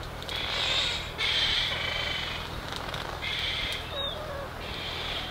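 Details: Black noddy on Heron Island, Great Barrier Reef, Queensland, Australia, 29 July 2019 at 16:50, giving harsh, rasping, crow-like croaks in four drawn-out bursts over five seconds, with a steady background hiss.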